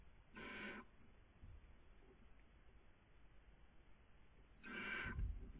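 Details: Barn owl at a nest webcam in Cabañeros National Park, Castilla-La Mancha, Spain, during the 2020 breeding season: two short, breathy hissing bursts about four seconds apart, with quiet low rumbling background between them.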